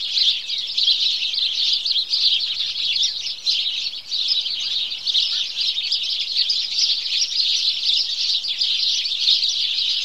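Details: Morning chorus of house sparrows: a dense, unbroken wall of overlapping high chirps and tweets from many birds, steady throughout with no pauses and no other clear sounds.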